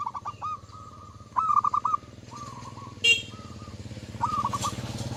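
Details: Zebra dove giving loud song to provoke rivals, staccato cooing pulses and drawn-out level notes in several phrases, partly masked by steady engine rumble and a sharp bang near the middle.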